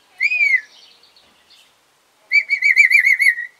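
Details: Pet African grey parrot on 24 July 2021 produces a clear falling whistle, then after a pause a rapid warbling trill of about ten pulsing notes.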